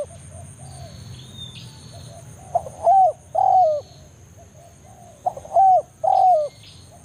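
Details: Wild spotted dove giving the 'banggo' call that draws a rival in the forest, for luring doves to a trapping spot; soft low notes, then two phrases of a short note plus two long mellow coos, high steady hiss throughout.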